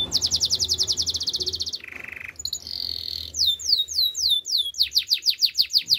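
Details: Song of a canary, offered as a training song for coaching canaries. A very fast high trill gives way to a lower buzzy roll, then a rolling mid-pitched tour, widely spaced downslurs and a closing burst of rapid sweeps.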